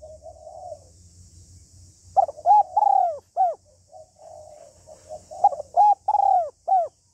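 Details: Hen spotted dove giving the 'hạp bổi' calls meant to excite a male: soft murmured coos, then two bursts of loud, clear, arching coo notes in quick triplets, over a low background rumble.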